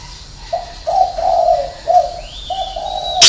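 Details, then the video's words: Spotted dove calling six notes in the 'hậu 3' style. A run of soft, hoarse coos, some paired and some longer, is followed by a thin rising whistle and a sudden sharp click at the end. "chim cu gáy 6 tiếng ( hậu 3)"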